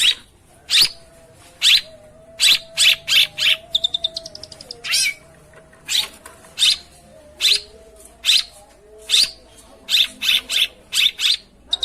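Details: Long-tailed shrike singing to provoke a quiet bird into answering: clustered harsh screechy notes and brief rapid trills, repeated in irregular groups over a steady faint hum.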